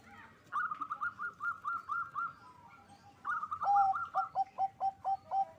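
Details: Local zebra dove, a loud, frequent singer, with song meant to raise mating drive: a fast run of high bubbling notes, a pause, then a stuttering phrase dropping to lower clipped coos repeated about twice a second.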